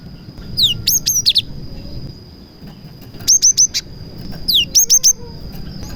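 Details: Cinereous tit song laced with prenjak mimicry, played to stir other tits into singing. Three phrases each open with a falling sweep followed by three or four crisp, high, evenly spaced chirps, over a steady high tone.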